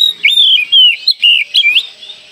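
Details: Oriental magpie-robin song used as a lure to get young birds singing quickly: a rapid run of clear, rising and falling whistled phrases with brief chirps, delivered almost without pause.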